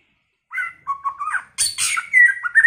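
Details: White-rumped shama in early-season song of many voices: clear mid-pitched whistles and short warbled notes, broken by a scratchy high burst, then a long bright whistle and quick rising flourishes.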